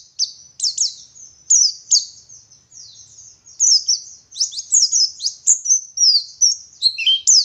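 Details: Energetic ngalas-style song of a Garut dakun white-eye from West Java, used to tutor other white-eyes: high sweeping whistles mixed with longer drawn-out thin notes, a brief quieter spell, then dense rapid twittering flourishes.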